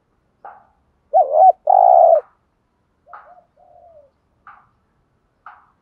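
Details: Decoy spotted dove coos for training newly caught birds: a loud wavering note runs into a long buzzy coo, followed by quieter short notes and a soft falling murmur.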